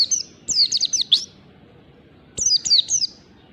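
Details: Oriental white-eye (pleci) in ngalas song on a morning recording meant for training birds. A tight string of high, twittering, down-slurred notes, then a gap and a shorter group of three.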